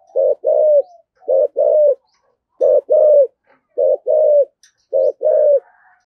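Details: Spotted dove of the 'thổ sấm' voice type giving 'thúc gù' coos. Clean, mellow pairs of low notes, short then longer with a slight downward tail, repeated roughly every second in quiet surroundings.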